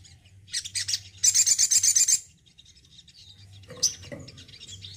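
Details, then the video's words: Caged male Crimson Sunbird, a keen singer, gives high twitters, then a quick, regular trill of about ten piercing notes, followed by a single faint note. "SOGON JANTAN RAWATAN YANG MENYENANGKAN.....BISA GACOR BAGUS"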